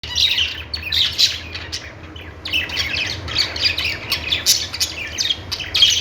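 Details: Budgerigars chirping: dense, overlapping high scratchy chatter and squawky notes in bursts throughout, pausing briefly near two seconds before resuming, with a low steady hum underneath.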